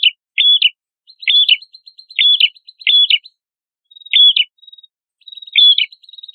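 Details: Prenjak kepala merah (red-headed prinia) singing vigorously, as training material for songbirds: short, high whistled notes that step down sharply, repeated roughly once a second between faint ticking trills.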